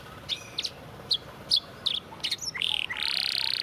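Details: Canary song used as a master vocal for training: several short sharp chips spaced about half a second apart, then two loud buzzy trills, over a faint background hiss.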